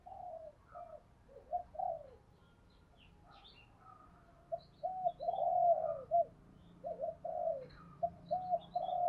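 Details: Decoy spotted dove cooing to provoke wild doves, heard more distantly; repeated short and drawn coos over steady low background noise, with high chirps from other birds.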